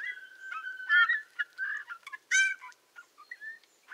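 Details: Eurasian bullfinch singing in the Tula Zaseki forest, Tula Oblast, Russia, on 18 March 2015: soft piping whistles and creaky notes, each with rich overtones, given in an irregular, halting sequence with two louder fluty notes.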